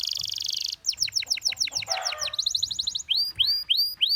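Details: Singing canary pours out a dense rolling trill, then quick series of repeated downward-sweeping whistles, a brief rattle, and evenly spaced upward-curving notes, all high-pitched and loud.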